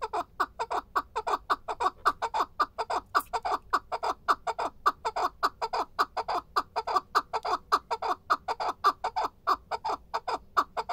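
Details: Chukar partridge in the evening giving a fast rhythmic chuckling call, short harsh notes repeated nearly twice per second in a steady unbroken series.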